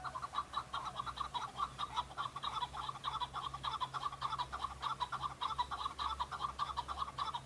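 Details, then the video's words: Male chukar partridge calling in answer to other males in fighting season, a display to draw females; a dense, continuous chatter of clucking chuk notes, several per second, throughout, over a faint low hum. "دەنگی کەو- شەڕە کەو - Chukar call - صوت حجل"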